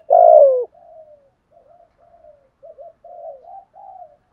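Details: Spotted dove giving a 'thúc gù' style cooing: one loud, low, husky coo that falls in pitch, followed by a string of soft, short, muffled coos at an even low pitch, with silent gaps between them.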